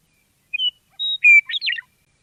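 Western Meadowlark song: a few clear, flute-like whistled notes, then a quick gurgling, warbled jumble, all in under two seconds.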